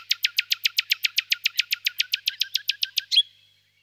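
A common nightingale sings a rapid, even series of about nineteen sharp, high notes, six a second, ending with a brighter flourish. No other sounds.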